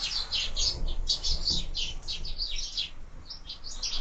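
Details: Sparrows feeding at window-mounted feeders chatter in quick, uneven bursts of short high chirps, some clipped and bright, over faint low room noise.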